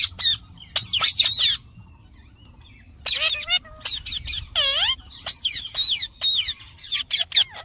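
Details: Green parrot with bursts of harsh squawking, then a pause, then wavy, slurred calls and one long, rippling, harmonic-rich cry, followed by more sharp screeches.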